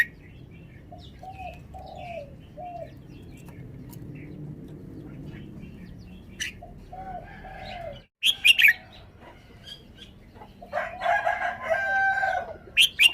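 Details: Caged red-whiskered bulbul showing off its song style: short slurred whistled phrases in bursts, a pause, then sharper high chirps and a busier run of notes, with wing flapping and a brief cut midway.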